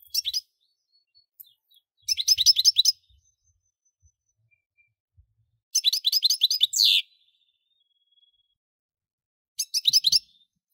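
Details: European goldfinch singing: bursts of rapid twittering, tinkling notes high in pitch, about a second long, separated by silent gaps of two to three seconds; no other sounds.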